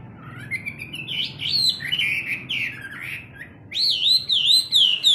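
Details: Chinese hwamei kept in a cage, morning song training: a rising series of warbled whistles, then a pause and bright, looping whistled notes repeated quickly, over a low steady background rumble.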